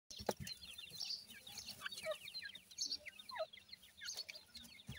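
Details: Francolin chicks, described as Irani teetar young, giving a dense stream of short, high, downslurred cheeps overlapping from several birds, with occasional sharp clicks and a lower note near the end.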